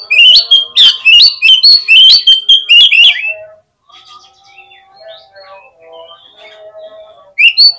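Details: Oriental magpie-robin song used as a lure to make other magpie-robins answer quickly and open their tails: about three seconds of loud, rapid whistled and chattering phrases, then a quiet stretch of soft thin notes, and a final loud burst.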